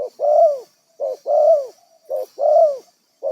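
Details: Close, loud coos of a wild spotted dove used as a decoy for trapping, each a brief note followed by a long arched coo, in quick succession.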